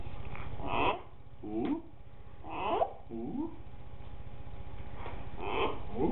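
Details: A pet green-winged macaw doing its "whoop" along with a person: about six hoarse whooping calls in six seconds, some bending downward, over a steady low indoor hum.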